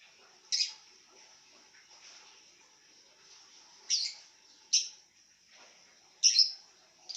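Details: Pet lovebird calling while lying down, giving four short, sharp high chirps spread across several seconds, with a steady high whine running underneath and quiet gaps between calls.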